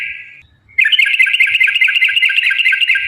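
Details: Yellow-vented bulbul in long rapid fighting-style trill song, used as a lure to make other bulbuls sing: a brief steady whistle, a short pause, then a dense rattling run of quick chirpy notes that continues unbroken to the end.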